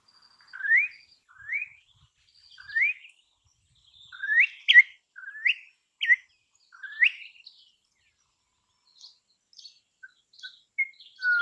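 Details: Imported Campo troupial song from a tutor recording for songbirds: a series of rising, slurred whistles repeated roughly once a second, mixed with a few sharper higher notes, then sparse short chips and a final low whistle.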